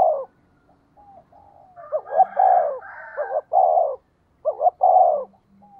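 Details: Cooing of a decoy spotted dove urged to call rapidly so wild doves respond; repeated deep, mellow two- and three-part coos with a rolling lilt, overlapping briefly with a fainter second cooing voice.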